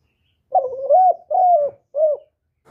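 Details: Spotted dove (cu đất) coo phrase in the 'thổ thúc' voice. Three low, breathy notes come in quick succession, the first wavering and rising, the last short and clipped, all with a hoarse tone.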